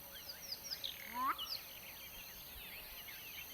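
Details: A black-bellied bustard ("champagne bird") at Phinda Private Game Reserve, Munywana Conservancy, South Africa, gives one quick rising whistle ending in a cork-like pop; thin chirps from other small birds over a steady outdoor hiss.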